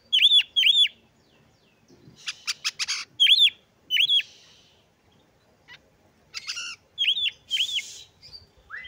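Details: Oriental magpie-robin song aimed at provoking rival magpie-robins and raising their breeding urge: loud paired upslurred whistles, buzzy rattling bursts and sharp clicks in short phrases separated by pauses.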